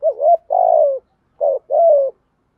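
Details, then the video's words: Thổ-style song of a spotted dove, used for training decoy birds: a wavering opening coo, a long sliding hoot, a short pause, then a brief coo and a longer falling one, all low and mellow against silence. "Chim cu gáy giọng thổ"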